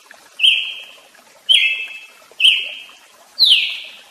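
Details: Brazilian tanager (tiê-sangue) calling four times, about once a second, with ringing notes that begin abruptly and trail away; the last note sweeps down from a higher start.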